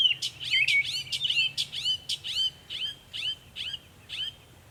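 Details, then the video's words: Northern mockingbird (Mimus polyglottos) at Savannah, New York, on 23 May 2021, making many sounds: a fast run of sharp, high chirps and swept notes, about two per second, varied in shape over a low hum. "Northern mockingbird Mimus polygottos video, making many sounds"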